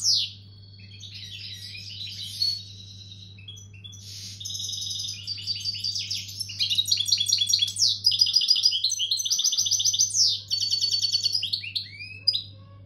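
A European goldfinch in breeding condition sings a fast, liquid twittering song over a low steady hum.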